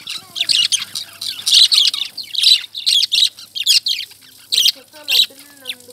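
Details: Lovebirds chirping in shrill, high-pitched bursts, short squawks coming in quick clusters separated by brief pauses, with faint low tonal sounds in the background.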